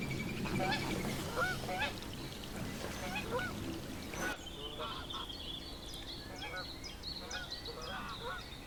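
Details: Several Canada geese (Branta canadensis), recorded in the wild, honk over one another in loud, nasal, slightly rising calls, about three a second, over a steady low rumble of background noise.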